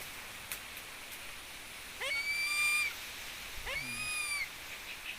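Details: Philippine eagle named Bagwis, being stroked from head to foot, gives two drawn-out, high, whistled calls, each swooping up and then holding steady, with faint clicks before them.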